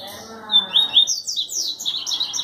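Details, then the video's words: Yellow-bellied seedeater, a singing male, recorded in Pau Brasil, Bahia, Brazil on 25 May 2018, giving a distinctive song style: high thin whistled notes followed by a rapid run of short descending chirps, with faint low background murmur. "PAPACAPIM cantador canto DIFERENCIADO"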